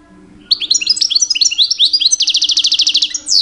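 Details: Rich mating-season song of a two-year-old male European goldfinch courting females: bright twittering slurred notes climbing and falling, ending in a rapid, even, buzzing trill; low hum in the background.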